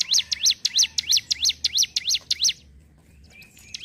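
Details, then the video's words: Ciblek gunung, a hill prinia, singing in ngentrok style: quick, regular burst of high swooping chirps, about three a second, ending abruptly, followed by faint thin calls. "CIBLEK GUNUNG GACOR NGENTROK"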